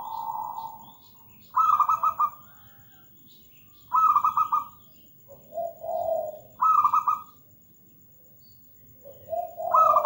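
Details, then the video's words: Local zebra dove (perkutut) in full song, repeating a phrase roughly every two and a half seconds: a quick rolling cluster of soft coos followed by a lower, mellow drawn-out coo. "PERKUTUT GACOR MERDU MEWAH"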